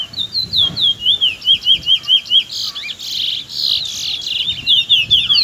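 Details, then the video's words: Young Trinidad bullfinch (chestnut-bellied seed finch) singing close up in the afternoon: a rapid series of clear, slurred whistled notes, rising and falling and repeated about twice a second, with brief buzzy bursts midway. "RUDY AND SMARTMAN afternoon close shy (trinidad bullfinch)"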